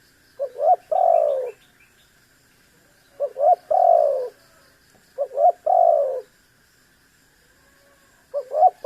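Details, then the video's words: Spotted dove calling to provoke a rival bird; repeated phrases roughly every two and a half seconds, each two quick clipped notes then a long, falling, slightly burry coo, against a steady faint background hum. "MEMAKSA LAWAN AGAR BUNYI_SUARA BURUNG TEKUKUR GACOR"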